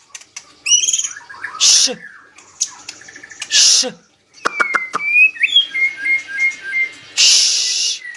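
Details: White-rumped shama, Medan type, singing hard: harsh rasping bursts and clicks alternate with clear level whistles and a string of short repeated notes.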